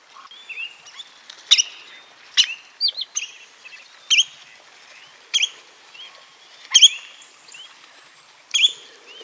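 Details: Spotted redshank calling: sharp high whistled notes, some upslurred or wavering, given in short separate bursts about once a second with brief clicks between, over a quiet background.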